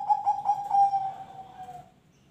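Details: Zebra dove song fragment: a quick series of clipped, bubbling coos runs into a smooth sustained note that fades out after about two seconds. Used to prompt other birds to sing.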